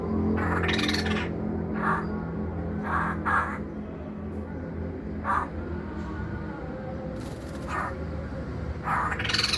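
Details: Pet masked laughingthrush giving scattered, grating, noisy bursts, single and in quick pairs, a few seconds apart, with a louder longer rasp near the end, over continuous low background hum.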